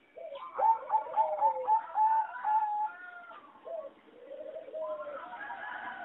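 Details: Farm-bred competition singing zebra dove, from a line selected over 60 years from a wild mutation, singing a melody judged poor. A rapid run of short bright cooing notes repeats evenly, then lower drawn-out coos follow after a brief pause.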